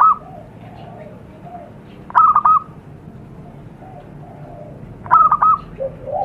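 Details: Zebra dove call from the wild, used to lure wild doves: two clear stuttered coo phrases about three seconds apart, each a few clipped notes running into a short trill. Fainter, lower cooing is heard between them.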